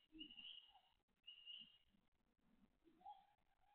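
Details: Grey tit at the nest on the night shift of 5 June 2022, day 24, around 19:51 to 20:53: two drawn-out high thin notes about a second apart, a lower short note later, soft low thumps beneath.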